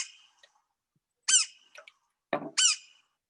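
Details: Fernandina's flicker in Cuba, an endangered population of an estimated 600–800 birds, gives two loud, harsh, ringing squawks about a second apart, with a few softer clipped notes between them.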